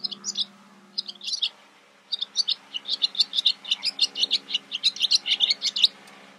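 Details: Barn swallow (Hirundo rustica rustica) in Camargue, France, May 2018, giving rapid, high twittering chirps in quick bursts, then a steady run of sharp notes several per second; a faint low hum underneath.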